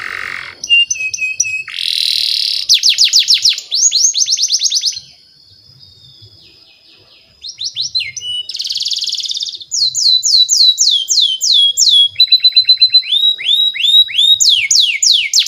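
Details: Canary singing a long lure phrase for training young canaries, switching between buzzy rolls, fast series of falling whistles, steady thin tones and chattering high trills, with a brief quiet pause in the middle.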